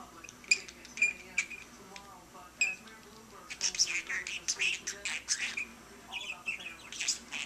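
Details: Pet budgerigar talking to a lamp indoors, starting with spaced sharp clicks and short chirps, then running into a fast, busy stream of high scratchy warbling.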